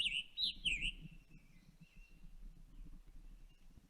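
Scarlet Tanager song: a quick run of burry, hoarse, robin-like phrases, strongest at first and then fading, over a low background rumble.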